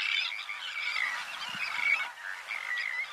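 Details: Harsh, grating calls from White-winged terns, recorded in France's Camargue in May 2018. Overlapping rasping notes follow each other almost without pause, forming a dense, noisy chatter.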